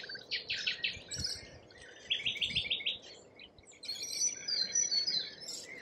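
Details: Australian lorikeets giving bursts of scratchy high chatter, including a quick even series of about six short squeaks mid-way, then a long shrill screeching passage.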